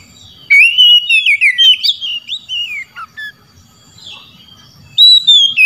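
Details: Oriental magpie-robin singing at rivals, which answer; a rich rush of rising and falling whistles and rapid chirps, a pause, then a clear descending whistle to close.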